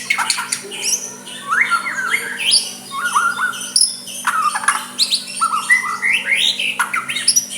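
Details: Soft song of a white-rumped shama aimed at stirring a rival to reply, built from repeated stepped whistles, rising slurs and clicking notes in a busy continuous stream, low hum in the background.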